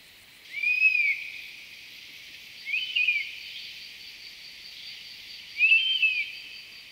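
European honey buzzard giving three plaintive, arched whistles, each about half a second, spaced two to three seconds apart, over a steady high hiss.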